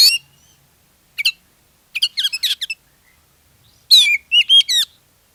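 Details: Lure song of an Oriental magpie-robin meant to start other magpie-robins singing: a harsh high note, then clustered chattering syllables and a final run of bright looping whistles.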